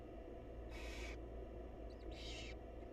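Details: Barn owl mother feeding her wild chicks in a nest box: two hoarse, hissing screeches about a second apart, with a few faint high chirps before the second and a heavy low hum.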